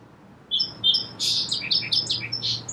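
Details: Song sparrow giving two clear opening notes, then a buzzy burst and a quick chain of warbled high notes. The short phrase is bright and slightly rough.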